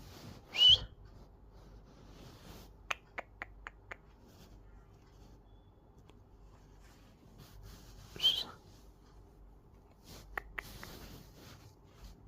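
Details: A happy pet cockatiel singing gives bright, high whistles, each followed by a few sharp clicking ticks.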